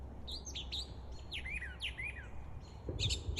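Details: A Brown Thrasher sings a quick, varied string of bright chirps and downslurred whistles near Fort Gordon, over a steady low rumble with a dull distant thump of gunfire near the end.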